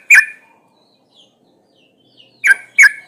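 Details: Female trucuk bulbul, in breeding condition, calling to males: a single sharp note, a quiet gap with faint twitters, then two quick punchy notes.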